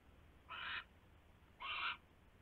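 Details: Owl at its nest around 12:43 AM on 27 January 2016 with a huge rat delivered; two separate rasping, breathy screeches about a second apart over low background noise.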